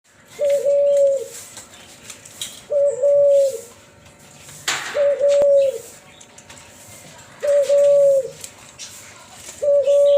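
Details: Cuhu Kelantan, an F1 hybrid of a Kelantan spotted dove and a tangerine ringneck dove, giving its flute-like 'suling' voice: steady, level, clear coos repeated about every two to three seconds, with a brief sharp noise between.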